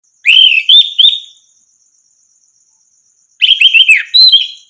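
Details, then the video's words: Orange-headed thrush song used as a training recording to make other birds sing: two bursts of loud, clear whistled phrases with quick rising and falling notes, separated by a long pause, over a steady high insect-like buzz. "masteran burung anis merah macet bunyi langsung nyaut gacor"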